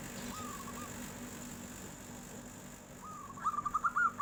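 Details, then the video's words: Local zebra dove with a 'nyuling' flute-like song, responding to a passing tofu seller: soft drawn coos, then a loud burst of rapid, evenly pitched staccato whistles at the end. "SUARA NYULING || KOK BISA TUKANG TAHU LEWAT, PERKUTUT LOKAL LANGSUNG NYAUT BEGINI"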